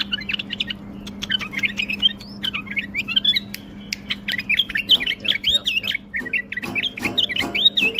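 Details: Bulbul singing: a fast, continuous stream of warbled, whistled phrases that rise and fall, broken by sharp clicks, over a steady low hum.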